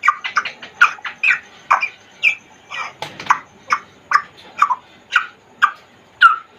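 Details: A caged Congo African grey parrot chatters in rapid, speech-like syllables, a steady stream of short clipped mid-pitched notes over several seconds.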